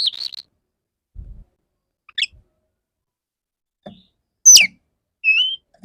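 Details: Male Oriental magpie-robin courting a female, a lure recording: scattered whistled phrases, one wavering note near the start, a sharp descending sweep and a short level whistle, separated by silent gaps.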